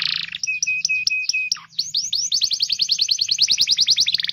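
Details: Canary training song meant to prompt young or silent canaries to sing: a buzzy burst, a steady level whistle behind rising chips, a quick drop, then a dense rapid trill of rising notes about three per second, over a low hum.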